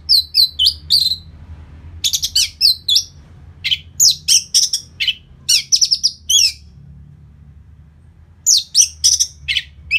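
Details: Orange-headed thrush song used as a lure to make birds livelier and more aggressive after moulting. Bursts of high, varied chirps and rapid trills come in quick clusters, with short pauses between groups over a faint low hum.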